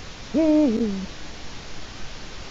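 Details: Eurasian eagle-owl on a Latvian webcam, 4 March 2018, 16:06: a single deep, mellow hoot lasting under a second, level then sliding lower at its end, followed by quiet background hiss.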